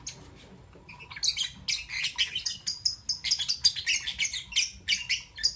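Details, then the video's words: Albino and euwing green opaline lovebirds chirping in the morning: after a quiet first second, dense bursts of high, scratchy, twittering chirps pour out almost continuously, rising and falling in short pulses. "Lovebird Chirping Sound"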